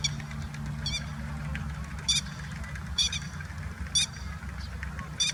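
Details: In Kyoto in late April, an adult grey-headed lapwing guards its young with short, piercing notes repeated about once a second, some doubled, above a low hum of distant traffic.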